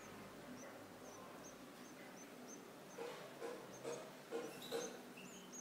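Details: A goldfinch brood being fed by a parent. Faint, thin high chirps repeat through the clip, then a quick run of louder, rougher bursts about every half second near the end over a steady background hiss.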